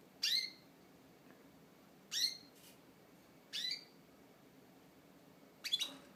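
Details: Male pet canary, shy and jumpy while being filmed, giving short sharp downward-sweeping chirps at intervals of about one and a half to two seconds, the last a quick double note, in a quiet room.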